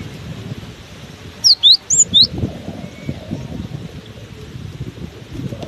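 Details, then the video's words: Cinereous tit keeps singing despite strong wind, giving one quick phrase of four bright, high whistled notes swinging up and down, with steady wind noise throughout. "Diterpa angin kencang! burung gelatik batu ini tetap gacor"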